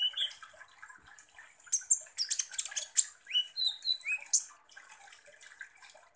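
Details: Sunbird lure song aimed at stirring konin birds: a continuous jumble of shrill chirps, scratchy rattles and brief upward-swept whistles, busiest in the middle.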